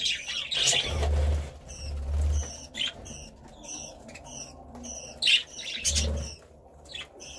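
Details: Budgerigar calls: separate short sharp chirps and squeaks, some with ringing overtones, spaced irregularly, with soft low thumps in the background.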